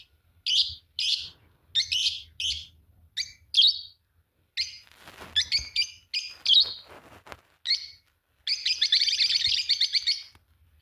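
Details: Two green Fischer's lovebirds singing and chirping: rapid series of sharp shrill chirps, some clipped and scratchy, ending in a sustained buzzy trilling chatter of about two seconds.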